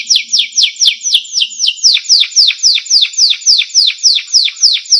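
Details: Canary song recorded as a training tape for teaching other songbirds: a steady series of loud down-slurred whistled notes, about three and a half per second, bright and ringing, with no other sounds.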